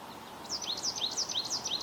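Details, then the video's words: American goldfinch in Ontario giving a quick run of high, wavering twittered notes, about six per second, over a faint low hum. "Bird Chirping Sound - American Goldfinch"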